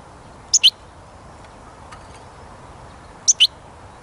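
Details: A European goldfinch sings outdoors in 2021, after the spring bird-catching season, later in the day rather than early morning: two quick, high, bright, tinkling double notes about three seconds apart against a quiet background.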